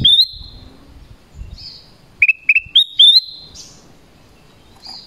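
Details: Black-crested bulbul calling to attract wild birds: high whistled notes held level after a quick upward flick, some in quick pairs, with short bright chirps between and faint low rustling.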